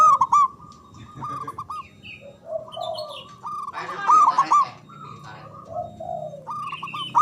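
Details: Javanese local zebra dove, described as loud with long breath, played to coax quiet doves into singing: loud rapid trilled coo clusters open and recur mid-way and at the end, with softer steady notes and scattered chirps between.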